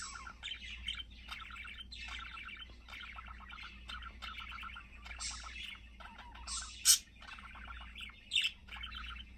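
A budgerigar warbles a long, chattering stream of rapid buzzy notes and squeaks.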